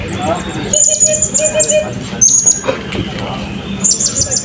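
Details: Contest bird, a Blue-crowned hanging parrot, at a 2024 open singing competition in Balingian, producing piercing high trilled phrases broken by short pauses, with crowd murmur and music underneath.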